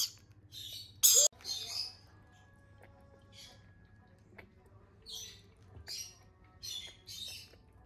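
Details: Lorikeet chicks being hand fed, giving harsh raspy squawks and short bursts repeated at irregular intervals, with a brief loud burst near the start and faint background hum.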